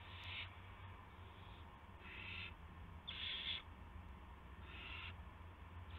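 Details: Owl on the evening of March 18, 2016, at 8:00 PM, arriving with a gopher. Harsh, breathy hissing bursts, each about half a second, come four times over a steady low electrical hum.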